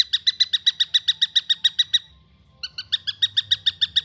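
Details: Juvenile long-tailed shrike calling: a fast, evenly spaced run of harsh, nasal chirps, about three or four per second, that breaks off briefly and resumes in the same rapid rhythm.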